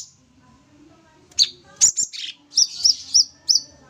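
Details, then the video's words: Sooty-headed bulbul in full song gives bright, high chirps: a quick tumbling phrase, then four sharp notes at about three per second. "Cucak Cungkok full tembak gacor"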